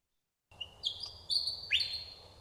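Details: Willie wagtail singing at night on the Port Phillip Bay coast during the mating season to attract females: a quick run of bright, high whistled notes ending in a sharp rising sweep, over a faint low hum.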